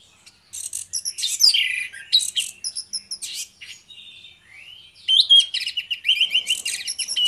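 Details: Duo of orange-headed thrushes in ngeplong song, used to prompt others of their kind to sing: loud, varied phrases of sharp whistles, slurred upward notes and quick chattery bursts, nearly continuous, with a short lull midway.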